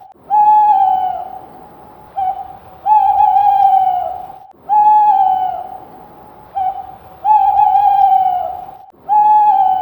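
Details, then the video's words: Screech owl repeating monotone whistled trills, each a short lead-in note followed by a longer level note, about fourteen calls a minute at a fairly regular pace. Otherwise quiet with faint hiss. "screech owl sound"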